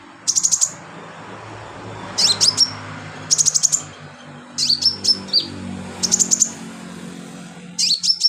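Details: Sunbird in full song, recorded as training filler for other cage birds: repeated short bursts of high, rapid ticking trills alternating with clusters of bright, downward-slurred notes, each burst about a second apart, over a low background hum.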